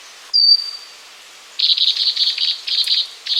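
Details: A pygmy wren-babbler (Pnoepyga pusilla) sings one thin, high, level whistle that trails off, then a fast, high, buzzy twittering series for nearly two seconds.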